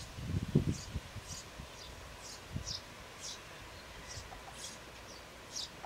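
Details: Eurasian tree sparrow young in their nest box shortly before fledging, which happened the day after recording; faint, high, breathy calls come in an uneven series about every half second above soft low rustling.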